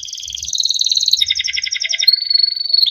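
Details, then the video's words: Yellow Timbrado canary song: continuous fast rolling trill, shifting pitch midway, ending in a long steady high whistled note. "Timbrado canary singing beautiful melodic songs"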